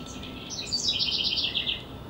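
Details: House wren on 28 April 2017, preparing a nest box: a short, loud, bubbling run of rapid high notes, quickening into a chattering trill, over steady low background rumble.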